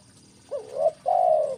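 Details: Spotted dove calling as a lure for birds: a short wavering coo rising then settling, followed by a longer level coo that tapers at the end, low and mellow.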